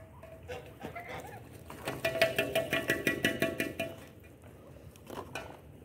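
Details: Ducks during mating give a loud, fast run of harsh, nasal, regularly repeated calls, about three per second for two seconds, then fainter scattered calls before and after.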